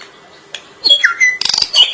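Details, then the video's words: Drongo song fragment: a loud, sliding whistle dropping then rising, followed by harsh rapid chatter and bright high notes. "Suara asli burung Srigunting gacor panjang"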